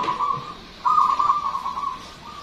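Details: Local Indonesian zebra dove in full song, described as loud and long-voiced: a steady mid-pitched coo that breaks into a louder, rapidly trilled, fluttering section for about a second, then settles back to a softer sustained note.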